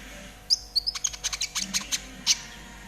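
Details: Short burst from a trotol konin used to tutor caged birds: a couple of high whistles, then a dense rattling series of chirps, ending in one sharp note.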